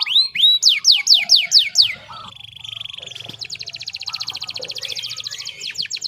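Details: Singing canary delivering slurred, rising whistles, then loud descending swept notes about four per second, a soft buzzy roll, and a long, rapid, high, even trill ending in more sweeps.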